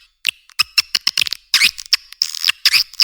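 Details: Edible-nest swiftlet lure recording: short squeaky chirps and clicks, then a burst of shrill twittering, followed by further chirps.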